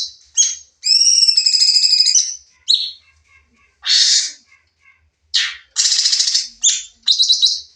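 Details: Sooty-headed bulbul singing in 'nembak' style for a training recording: a sustained wavering whistle with harmonics, followed by short chirps, a harsh buzzy burst and quick high twittering notes.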